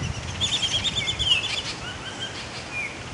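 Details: Baltimore oriole fledglings just emerged from the nest in a front yard: a thin, rapid chattering series, then soft slurred whistled notes rising and falling, over a low rumbling background.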